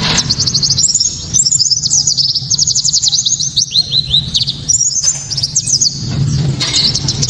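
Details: White-eye giving a loud, sharp, clear 'tembakan' burst song meant to provoke other white-eyes into singing and to train songbirds; rapid high chirps and downslurred notes tumble in dense runs with brief pauses, over a low steady hum.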